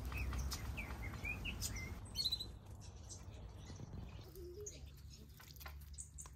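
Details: Several aviary finches, possibly shaft-tail finches, give brief, high chirps and tweets at an uneven pace over a steady low background rumble.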